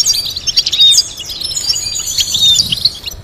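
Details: European goldfinch song used for teaching birds to sing: a quick, tinkling stream of high twittering notes and short trills, bright and continuous.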